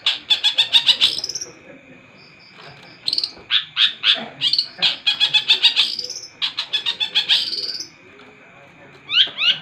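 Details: Intense song from a long-tailed shrike: repeated bursts of fast, stacked chirps, each burst a second or more long, separated by brief pauses and closing with a couple of downward-slurred notes.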